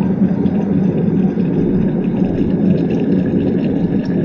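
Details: Steady low mechanical rumble, like a running engine or vehicle, continuous throughout with no animal voice heard.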